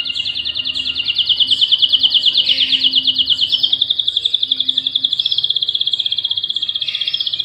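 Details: Caged domestic canary, a male with a female and chicks in a nest: a fast, even trill held high and bright, pulses repeated about twice a second in the loudness, with a brief lower twitter near the end.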